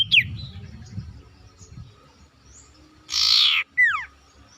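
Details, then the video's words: Sooty-headed bulbul chattering vigorously, offered as a lure for bulbuls that will not sing: a sharp squeak, then a harsh buzzy burst followed by quick downward-sliding whistled slurs, over low rumbling background noise. "sirtu ngoceh gacor ngotot cocok buat pancingan sirtu macet bunyi"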